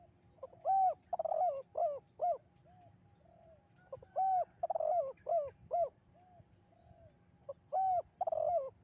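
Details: Repeated 'kuk 2' song phrases of a spotted dove, a master recording for training doves: three phrases about three seconds apart, each an arched coo, a rolling burbled coo and two or three shorter hollow coos.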